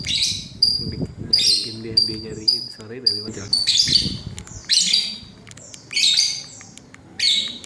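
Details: Pet lovebird calls used to prompt another lovebird to answer: bright, high 'cit cuit' chirps and short squawky bursts, repeated irregularly about once a second, with low murmuring sounds underneath.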